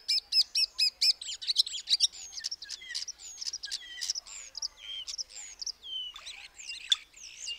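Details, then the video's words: Common starling (Sturnus vulgaris) opens with several evenly spaced rattling clicks, then runs into a rambling medley of thin whistles, descending slurred notes, wheezes and short chattering bursts, all high-pitched and delivered without pause. "The call of the Common Starling"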